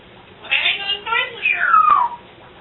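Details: A swearing pet parrot giving short harmonic, voice-like phrases, then a long whistled note sliding steadily downward, with a brief pause between bursts.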